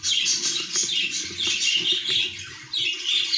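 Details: Budgerigar chick on its last day of weaning, giving a near-continuous run of harsh, raspy, high chirps in rapid bursts, with a brief lull before the calling resumes strongly near the end.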